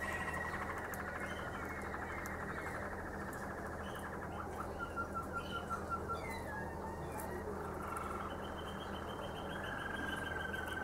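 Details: Domestic canary, Harzer Roller or Malinois Waterslager, in Xanthi, Greece. It gives quiet rolling trills, then a short run of clear, evenly spaced whistled notes and a falling drawn tone, against a steady low hum.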